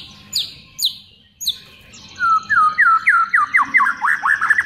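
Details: White-rumped shama singing a phrase filled with imitated sounds, meant for training other songbirds: three sharp high downslurred notes, a pause, then a fast series of rising, looping whistles repeated about four times a second.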